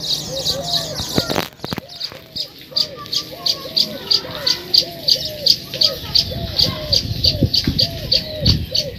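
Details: Baya weavers at their new nests keep up a steady, high chattering chirp, about three notes a second. Lower, hooked, hoot-like notes from another bird repeat underneath.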